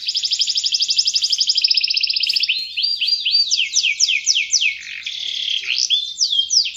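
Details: Singing canary, kept as a lure for young birds: a steady fast trill for two seconds, then a varied run of swooping, slurred high notes and rolling phrases, loud and clear throughout.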